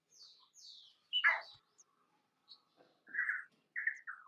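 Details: Painted spurfowl, a pheasant-family bird of rocky scrub forest in peninsular India, singing a loud descending note followed by rolling, burry phrases, with fainter high thin notes drifting in at the start.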